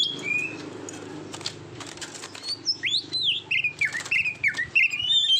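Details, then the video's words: Oriental magpie-robin song recorded to train competition birds: after a quiet noisy start, loud slurred whistles and chirps build up, sweeping up and down between high notes. "SUARA KICAUAN BURUNG KACER TERBAIK, PART 68 - MASTERAN KACER - KACER GACOR - PANCINGAN KACER"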